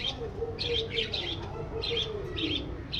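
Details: Budgerigar in an aviary giving short, evenly spaced bursts of sharp high chirps, about two per second, while a low droning tone and soft murmur run underneath.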